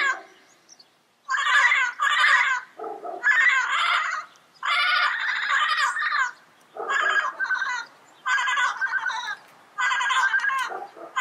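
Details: Yellow-headed parrot in the wild calling with harsh, grating squawks in long ragged bursts, some lower and throatier, repeated with short gaps throughout.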